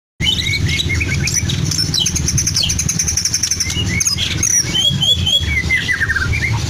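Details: Caged white-rumped shama from Medan singing a mimicry-filled song imitating lovebird, canary and cililin, with dense varied whistles, trills and chirps over steady low hum and background bird chatter.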